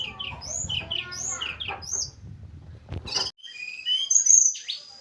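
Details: Javan mountain little pied flycatchers, captive pair being matched after a week housed side by side; high thin whistles and chattering phrases for three seconds, then a long steady high whistle with brief bright notes.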